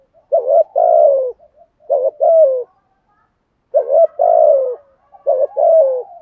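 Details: A spotted dove coos in quick succession, alternating long phrases ending in a falling coo with shorter doubled notes, four bursts in all.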